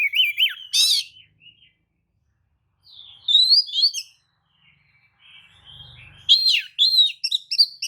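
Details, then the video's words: Lure song of a tail-spreading Oriental magpie-robin, used to provoke other magpie-robins; loud whistled and chattery phrases separated by long silent gaps, with a soft low hum near the end. "kacer manapun jelas nyaut oleh kicau pancingan kacer buka ekor! kacer dijamin emosi"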